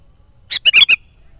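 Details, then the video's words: Sooty-headed bulbul song used as a lure: one crisp, rapid phrase of four liquid, gurgling notes, the middle notes slurring downward. "SUARA BURUNG KUTILANG GACOR COCOK UNTUK PANGGILAN BURUNG KUTILANG LIAR DAN PIKAT AJARAN"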